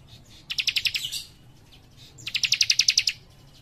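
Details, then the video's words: Young leaf warbler in energetic song: two rapid trills of bright, evenly spaced high notes, each close to a second long, separated by a short pause. Soft low hum underneath. "Cikris Muda Gacor Nembak Rapat"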